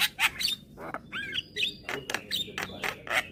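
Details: Young white-eyed Javan myna calling keenly while nodding its head, used to provoke hybrid mynas into calling: harsh broadband rasps alternate with short bent whistles and squeaky notes in quick irregular bursts.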